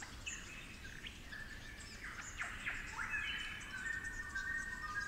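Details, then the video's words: Superb Lyrebird, a 'flute lyrebird' with the local fluting accent, in cool, damp forest of the Werrikimbe Wilderness, New England Tablelands, New South Wales. Sweeping, slurred whistles give way to long, steady, flute-like held notes. A soft wash of background forest noise. "Flute Lyrebirds of the Werrikimbe Wilderness"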